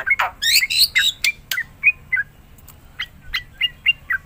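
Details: Black-winged myna song used as a lure for mute mynas: a few loud harsh rasping bursts open, followed by a sequence of short, spaced whistled chirps roughly every third of a second.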